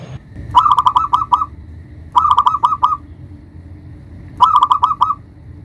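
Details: Local zebra dove with a big voice, used as a lure to call and provoke rivals: three bursts of rapid, clipped cooing notes near one pitch, each burst about a second long and roughly two seconds apart, with a soft low hum beneath.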